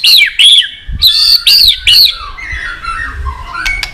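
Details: White-rumped shama in long provocative fighting song: loud, arched whistled notes repeated about every half second, then a quieter run of descending warbles and a final click.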